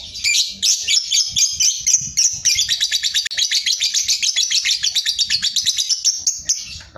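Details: Sooty-headed bulbul delivering ngekek song with tight pauses, a master recording for contest songbirds: a sustained, very fast, high-pitched chattering trill of evenly pulsed notes, about four per second, lasting throughout.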